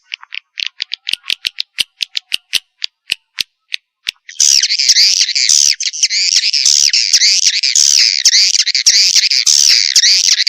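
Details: Swiftlet calling sound used to attract birds to nest houses, opening with a series of sharp clicking notes about twice a second before breaking into a loud, unbroken high buzzy twitter.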